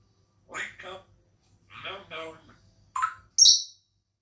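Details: Captive African grey parrot chats by the window while eating grapes. Several mumbled word-like syllables give way to a short rising whistle and a sharp, high squeak at the end.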